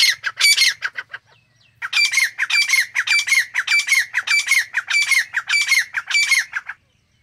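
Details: Grey francolin (Dakhni or Irani teetar) gives loud, harsh, squawking notes in quick repeated phrases, about three per second, with a brief pause after the first burst; one of several different call types of this species.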